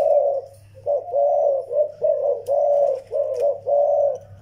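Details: Zebra dove, a young bird paired with an old Vietnamese decoy: a string of soft, purring coo notes in quick succession, evenly pitched and slightly trilled, with light background clicks.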